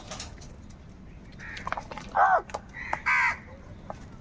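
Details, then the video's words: Crows squabbling over food give two harsh, ringing caws about a second apart, each a short burst with stacked overtones, amid faint chirps from other small birds and low background rumble. "Crow birds loudly crowing sounds - All types of crow sounds | Crow bird Fight for Food"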